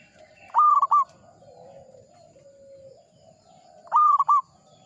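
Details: A local Zebra dove sings in the Ngepat Mataram rhythm, with two brief bright phrases of a few quick coo notes about three seconds apart. Gentle, lower cooing from other doves fills the gap.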